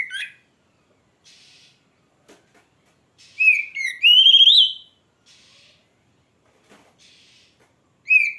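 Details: Oriental magpie-robin, kacer, in lively song: sparse rich whistles sliding between notes, a loud burst of rising and falling whistled phrases midway, with quiet gaps and soft rustling between.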